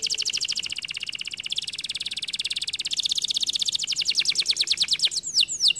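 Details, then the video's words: Singing canary delivering a long, rapid, rolling trill of tightly packed high notes that speeds and shifts in tone, closing with a few sharp downslurred whistles. "The canary sings beautifully"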